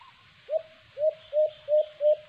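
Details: White-eared brown dove (alimokon) recorded at a cage trap. It gives five deliberate, hollow coos about a third of a second apart, with light background hiss.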